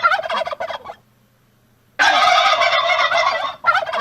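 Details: A domestic village turkey (Meleagris gallopavo) gobbles in fast, rattling bursts: one of nearly a second, a brief silence, then a longer gobble of about a second and a half, with another starting.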